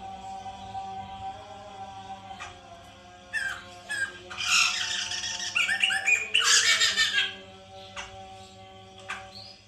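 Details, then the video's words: White-crested laughingthrush sound played to prompt a captive bird to sing: loud, harsh cackling and squawking bursts building to a chaotic chorus midway, then fading, over steady droning tones. "pancingan Poksay mantel agar bunyi"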